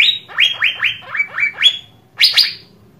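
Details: Asian fairy-bluebird, used to stimulate other birds to sing: a fast series of six or seven short rising-then-falling whistled notes, followed by two loud descending chips.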